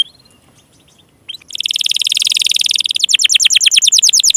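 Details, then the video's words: Canary song used to encourage reluctant or young canaries to sing: after a quiet, faint start, a loud rapid trill bursts in and shifts into fast repeated downslurred notes. "SUARA PANCINGAN KENARI MACET,, MALAS BUNYI DAN KENARI PAUD"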